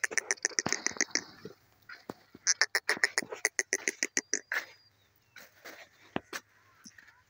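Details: Grey francolin, called Sindhi teetar locally, giving a rapid series of harsh, loud, clipped notes about three or four per second, bursts then a pause and a second bout, ending in scattered fainter notes.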